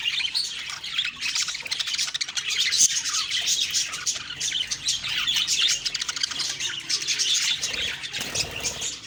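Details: Budgerigars chirping on the morning of October 2, 2023, with a steady wash of rapid, overlapping twitters and scratchy squawks from a group, loud and unbroken, plus a soft bump near the end.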